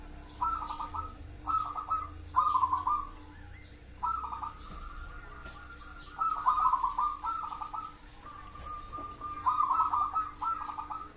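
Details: Zebra dove of local stock giving its rolling coo: staccato bursts of rapid pulsed notes run into brief phrases, separated by short pauses, with a faint constant background drone.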